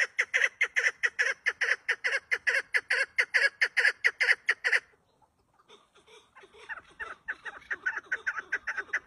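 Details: A female partridge, missing the feathers on the back of its head as if beaten by another partridge, gives rapid, harsh clucking notes, about two per second. They are loud for five seconds, then fainter and more ragged after a pause.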